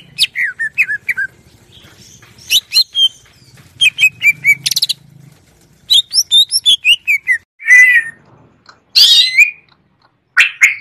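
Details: Cucak ijo (greater green leafbird) in clear 'ngeplong' style, used as varied fill material for tutoring birds: scattered bursts of sharp chirps and downslurred whistles, broken by harsh rasping notes near the end.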